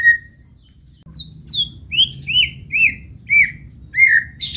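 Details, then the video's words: Morning song of a white-rumped shama: after a short whistle, a series of sharp, high downslurred notes and rich whistled phrases repeated about twice a second, with low background rumble. "Kicau Pagi Murai Batu"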